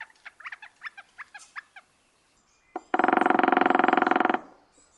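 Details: Northern flicker in Wisconsin giving a quick run of short, sharp mid-pitched notes, about seven a second, then a loud, harsh buzzing burst lasting over a second.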